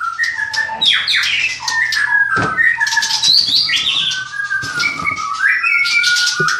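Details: A white-rumped shama on a bird farm in Klaten sings a varied, fast stream of whistles, rising slurs and sharp chips. It is mixed with occasional knocks or clicks from the surroundings.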